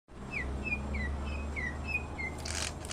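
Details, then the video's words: Greater green leafbird song used as training audio for other birds: a series of short downslurred whistles repeated about every quarter second over steady low hum, ending in a noisy burst. "TERAPI OB & OE CUCAK HIJAU"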